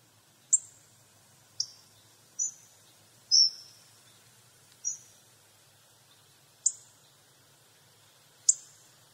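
Hawfinch giving sharp, very high 'tzik' notes, about seven over nine seconds at an uneven pace of one to two seconds apart, against a quiet background.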